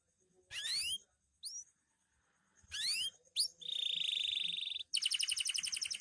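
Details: Loper canary singing energetically at night: separate high phrases of steep rising sweeps, then a buzzy steady roll and a rapid ringing trill, with short silent gaps between bursts.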